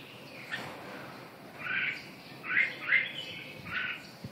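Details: Red-whiskered bulbul giving four or five separate short, clear whistled phrases spaced about a second apart over a soft steady background hiss.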